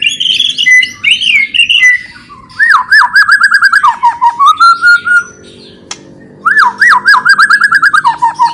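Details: White-rumped shama, a murai kept to provoke rival birds into singing, giving a loud, rich song of whistled phrases and rapid repeated slurred notes, bursts separated by short pauses, with a brief click near the middle.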